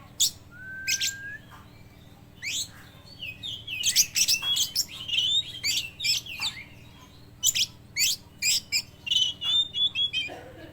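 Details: Oriental magpie-robin, a speckled trotol bird singing fully with copied lovebird sounds: a single clean whistled note, then rapid sharp high chirps and twittering bursts that quicken into a steady run of clicky, scratchy notes.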